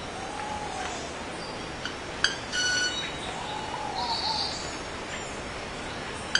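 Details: Mechanical wing sounds from a male club-winged manakin: a sharp click, then a short ringing tone, with another click at the very end. Gentle wavering whistles from other birds and a high insect-like hum fill the background.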